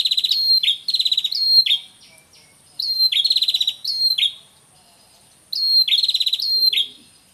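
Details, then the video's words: Red-headed prinia male and female calling together, used as a lure call: rapid bursts of dry, ticking, buzzy notes, each burst about a second and a half long and repeated every few seconds. "Suara Pikat Prenjak Kepala Merah Jantan Dan Betina"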